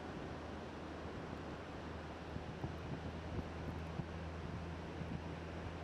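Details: Surf and wind roar steadily, with a low droning hum underneath and no animal voices.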